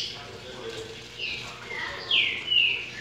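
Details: A breeding male double-collared seedeater gives a brief run of bright, high whistled notes, sliding and slightly rising, sung in courtship over a faint low hum.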